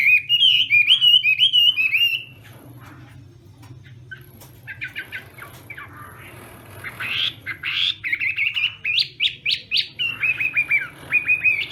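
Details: Chinese hwamei in morning voice training for a singing contest: bright whistled phrases at the start, a quieter gap with scattered chips, then sharp rising notes and rolling whistles resuming strongly toward the end.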